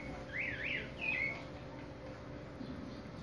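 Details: Caged Chopi blackbird practising song, giving a quick run of looping, warbled whistled notes followed by a short flat whistle, then quiet, over a constant low background hum.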